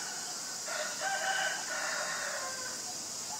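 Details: Acridotheres tristis, the common myna, in Ubon Ratchathani province, Thailand, February 2022, recorded on a Nikon P1000: a somewhat quieter, grating, gurgled call of mixed buzzy and tonal notes running about two seconds, with continuous high insect hiss behind it.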